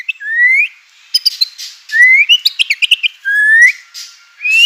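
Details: White-rumped shama song meant to lure other shamas into song. It has long clear rising whistles with a sweet, slurred tone, alternating with short bursts of scratchy chattering notes.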